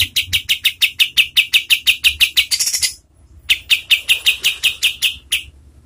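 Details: A kapas tembak's training song for contest birds: a long run of fast, sharp chirps at a high pitch, broken by a short pause near the middle, then resuming at the same brisk pace.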